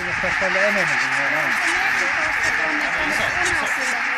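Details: Barnacle geese, around 17,000 of them, flying up over Konnunsuo, Joutseno, Finland, in 2012 when a peregrine strikes; clear nasal yapping honks in quick strings, wavering up and down above a wall of distant flock chatter.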